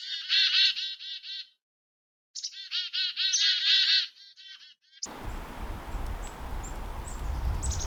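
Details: Black-capped Chickadees in winter, moved up to the treetops, call to each other with two bursts of harsh, buzzy dee notes in rapid series, where more dees signal higher threat, perhaps a predator nearby. Steady outdoor hiss follows with faint high chips.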